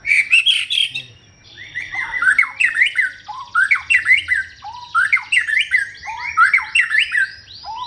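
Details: White-rumped shama singing a rich, varied run of clear whistled phrases, with quick rising and falling notes and sharp chips. A thin, steady high tone runs faintly in the background.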